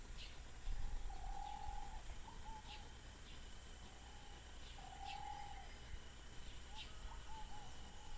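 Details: Ruddy Pigeon (subspecies berlepschi) at Rio Canandé, Ecuador, on 15 Dec 2012, gives low, hollow cooing phrases about every four seconds over a steady rainforest hum of insects and distant rumble.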